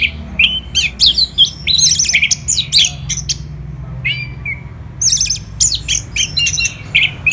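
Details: Orange-headed thrush pouring out fast, scratchy, high-pitched phrases mixed with whistled slurs. A brief quieter moment comes before another rapid burst.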